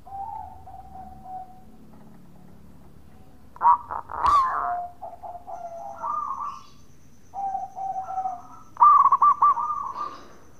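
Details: Local zebra dove giving its bekur cooing song, used to provoke other doves into answering: soft, mid-pitched coos and stuttering, bubbling notes in irregular phrases, a brief louder crackle near four seconds.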